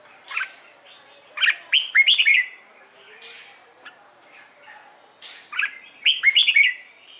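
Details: Trained Red-whiskered bulbul giving morning competition song to prompt new birds to join in: a brief note, then a loud cluster of rapid whistled, upslurred phrases, a quieter pause, and another similar bright burst.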